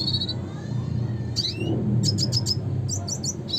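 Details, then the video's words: Red siskin (Spinus cucullatus) giving scattered bright chirps: a whistled note, a rising slur, then quick clusters of three or four sharp high notes, set against noticeable low background rumble. "suara kicauan burung red siskin klasik gacor (spinus cucullatus)"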